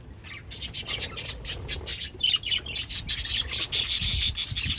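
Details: Pet budgerigars chirp while eating, giving a dense, scratchy chatter of high, rapid notes over steady rasping and rustling noise.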